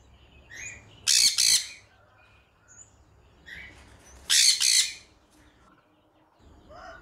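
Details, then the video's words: Sun conure giving two loud, harsh, double-pulsed screeches about three seconds apart, with faint soft chirps in the quiet gaps between them. "Sun conure bird sounds"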